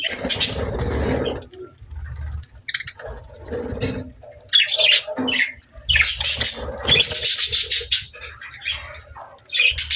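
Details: Pet budgies kept together with lovebirds, chirping while playing and eating: bright, scratchy chirps and short squawks in bursts separated by pauses, with low rumbling background noise underneath.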